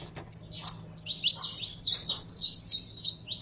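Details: Caged Brazilian canário-da-terra, or saffron finch, prepared by its keeper to sing, delivering a rapid, lively string of high chirping notes that starts quietly and builds into dense repeated phrases, with a faint low hum underneath.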